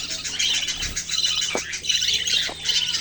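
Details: Young budgerigars twittering continuously: bright, rapid, high-pitched chirps and short squeaks crowd together, with a faint low hum beneath.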